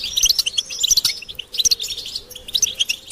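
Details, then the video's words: European goldfinches calling together to stimulate male singing: quick clusters of sharp, high piping chirps and short buzzy notes, roughly one burst per second, with small gaps between. "بتبتة الحسون تحفيز الحسون على التغريد والهيجان علاج صمت الحسون goldfinch stimulation"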